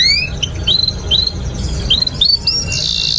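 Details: Canary song meant as a lure for young canaries learning to sing: soft, spaced upswept whistled notes over background hiss, ending in a short burst of high buzzy sound.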